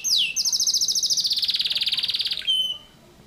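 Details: Energetic canary song in the tight 'tembakan rapat' manner: one falling whistle, then a long machine-gun trill of about two seconds that drops slightly in pitch, closing with a brief clear whistled note.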